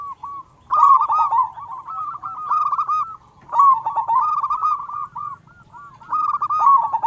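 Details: A local zebra dove with a big voice, singing actively as a lure to start other zebra doves calling: three rolling phrases of stuttering coos that run into long, wavering notes, with brief pauses between.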